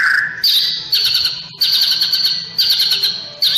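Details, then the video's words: White-rumped shama sunbathing in the morning, giving a low whistle and then a series of repeated harsh high rattling bursts, each about a second long and fading away. "Masteran burung murai batu saat di jemur pagi pagi"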